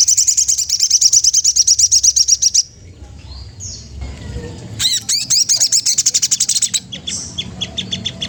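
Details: Magpie-robin challenging a rival: a long, rapid rattle of high chips for over two seconds, a quiet gap, then another fast bright chattering sequence fading into scattered notes.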